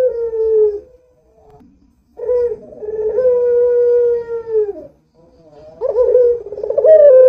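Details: Lure recording of a frequently calling Barbary dove meant to set other doves cooing: long, smooth, level hoots held over a second or more, separated by quiet gaps, ending with a wavering, trilled coo.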